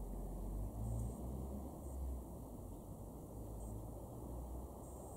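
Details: Low, steady rumble like passing traffic fills the recording, with a few faint, brief high ticks and no clear animal voice.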